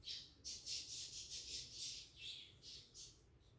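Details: Cockatiels inside a nest box, nesting, giving a run of rapid high, harsh chirps repeated about twice a second over low background hum.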